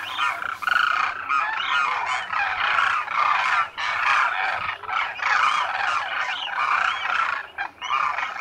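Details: Thousands of migratory Demoiselle Cranes, locally called Koonj, wintering at a lake at Khichan village in the Thar Desert, Rajasthan, India; a dense continuous chorus of rolling trumpeting calls from many birds overlapping.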